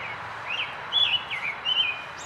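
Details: American robin singing a quick run of warbled, whistled phrases that rise and fall, several short carols in about two seconds over a light background hiss.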